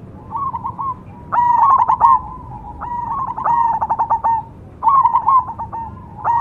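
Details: Zebra dove of the cemani type singing three loud phrases, each a burst of quick staccato coos falling into a soft rolling purr, spaced about one and a half seconds apart.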